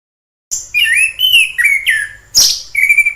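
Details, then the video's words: Wild orange-headed thrush singing a short burst of clear whistled phrases after a moment of silence, with notes sliding around the middle-high register and a sharp high note near the end. "Suara asli anis kembang di alam liar"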